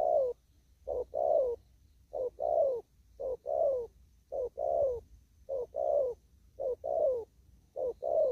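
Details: Spotted dove, out in the fields, giving 'đồng thúc gù' cooing: a quick low note then a longer rolling coo, repeated regularly about eight times at roughly one-second intervals, with quiet surroundings.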